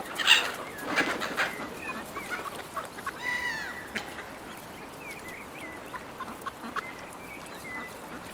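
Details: Seagulls squabbling over food offered by hand, a loud burst of harsh cries at the start, then scattered shorter squeals and thin rising whines fading out.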